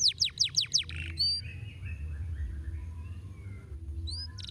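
A domestic canary sings a rapid run of five sweeping, descending high notes, then clear whistles and a brief trill over a low background hum.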